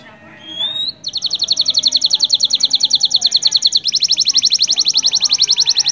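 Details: Canary song meant to stimulate other canaries into singing: a rising whistle opens, then long, even, rapid trills of repeated high notes run for about five seconds with a change of tempo midway.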